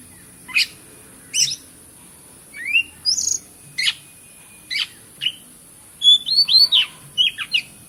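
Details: Captive-recorded kacer (Oriental magpie-robin) alternates crisp high chirps with short rising whistles, then a quick cluster of bright twittering notes toward the end.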